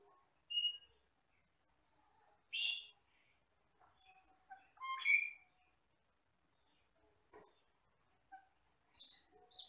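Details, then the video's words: Scattered notes from an Asian glossy starling, a forest bird used for training songbirds: pure high whistles, a loud harsh rasp, a slurred squeal and brief chips separated by short silences. "MASTERAN BURUNG HUTAN CAMPERLING (CUCAK KELING)"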